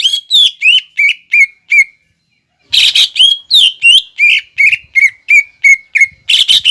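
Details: Greater green leafbird in full song in the 'nembak ngekek' style, used as a lure for young birds: a rapid series of sharp high whistled notes with rising and falling slurs, a short pause, then another fast burst of repeated notes.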